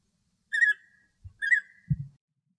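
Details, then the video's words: A male European bee-eater singing happily in Greek nature: two short rolling trilled notes near the same pitch, about a second apart, with a couple of low thumps between them. "Μελισσοφάγος Αρσενικός Κελάηδημα - European Bee-eater Merops apiaster Singing"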